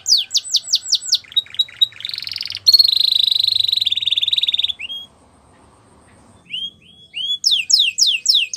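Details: Training song of a canary: repeated falling whistles, then a long harsh buzzing trill. After a brief near-silent pause come a few rising upslurred notes and a fresh run of quick descending sweeps.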